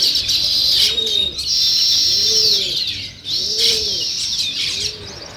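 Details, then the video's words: Natural chirping from sparrows called weaver birds: waves of loud, high twittering, each followed by a brief dip. Clear, arched low coos come about once a second beneath them. "Natural Sparrow Chirping Sounds |Weaver Birds"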